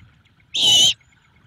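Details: Great horned owlet begging its mother for food at a nest in Savannah, March evening: one loud, harsh hissing screech lasting under half a second over a quiet low rumble.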